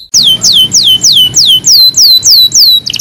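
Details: Singing canary on a recording meant to train canaries: a steady tour of nine descending whistled sweeps, about three per second, ending in a brief burst of different rapid notes.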